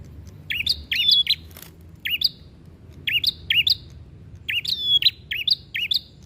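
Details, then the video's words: Fighting song of a visiting prinia outside the cage: crisp paired chips in short fast series, each group separated by brief silences, against faint background rumble. "Suara Burung Prenjak Gacor Tarung"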